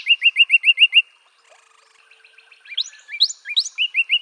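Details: Repeated slurred whistles from a northern cardinal, six in quick succession, a short gap, then a mix of rising sweeps and lower notes ending in another rapid repeated phrase.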